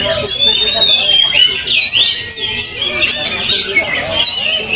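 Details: Oriental magpie-robin brought to an open field for training, singing loud varied phrases of sharp whistles, rising and falling slurs and quick chattering notes, with other birdsong overlapping throughout.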